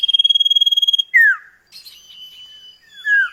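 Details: Common iora duet song played as a lure for kept birds: a fast pulsing trill, then a loud falling slurred whistle, a long level whistle and another downslur.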